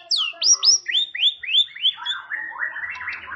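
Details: Champion competition white-rumped shama delivering a 'tembakan' song burst: a rapid run of clear downslurred whistles, about four per second, stepping lower in pitch and ending in a softer warbled trill.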